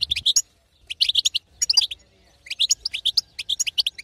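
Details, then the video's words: A female European goldfinch's 'betbeta', used to push a silent male to sing, in four short bursts of fast, tinkling twitters, each under half a second, with quiet pauses between. "أقوى بتبته حسون تهيج وتهبل الحسون الساكت"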